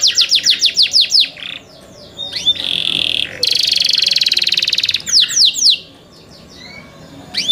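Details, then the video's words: Young canaries kept by their owner sing: rapid falling whistles, a brief quiet gap, a harsh buzzy roll, more slurred notes and pauses. "MEDIOUS SONG OF YOUNG CANARIES"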